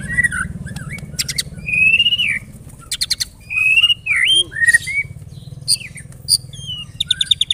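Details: Pancingan song of the white-rumped shama, meant to set other birds singing: fluid whistled phrases mixed with crisp clicking rattles and short piping notes, low hum underneath.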